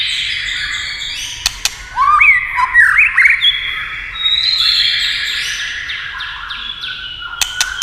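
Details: White-rumped shama singing, with sharp tail-tapping clicks meant to prompt song: varied whistled phrases with rising and falling slurs, mostly high-pitched, among scattered dry clicking snaps.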